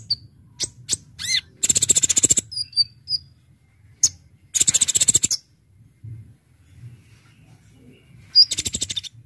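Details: Brown-throated sunbird (Konin) singing energetically, a recording meant for luring birds: dense buzzy trill bursts high in pitch, alternating with short thin whistled notes and sharp clicks, with quiet gaps between phrases.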